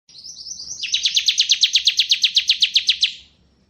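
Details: Bar-winged prinia singing in the ciblek kristal, ngebren style, offered as tutor song for magpie-robins: a thin high whistled lead-in, then a fast run of about sixteen sharp, buzzy chirps evenly repeated before fading out.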